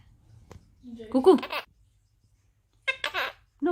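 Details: A pet monk (Quaker) parakeet says its own name in two bursts of short, high, slightly raspy word-like phrases, with a brief pause between them, in a quiet room.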